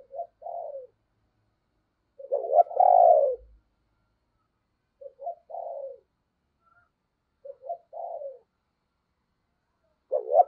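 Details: Spotted dove used as a lure bird to attract others: a deep cooing phrase of soft hooted notes repeated every two to three seconds, with quiet gaps between.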